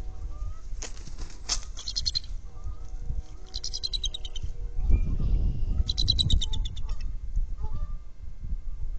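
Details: Bald eagle from a trio using one nest, filmed by a nest camera: rapid, high, piping chatter in quick stuttering bursts of several notes, with pauses between, over low wind noise.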